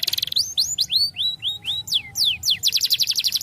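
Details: Canary singing for training young canaries: a short fast trill, then slow rising and falling whistled notes spaced about four per second, ending in another rapid trill.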